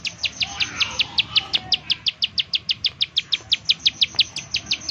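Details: Bar-winged prinia giving its rapid 'nembak' call, used as a lure to get other prinias singing: sharp, high, clicking notes repeated about three per second in a steady run, over faint background hiss.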